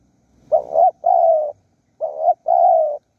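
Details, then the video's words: Spotted dove in Surat Thani, Thailand, with wild doves being lured and a wild bird calling to its mate: low hollow coos in two quick pairs, each pair a short note followed by a longer drawn-out one, in a quiet setting. "ต่อนกเขาใหญ่สุราษฎร์ธานี หมายในบางใบไม้ นกป่าเรียกคู"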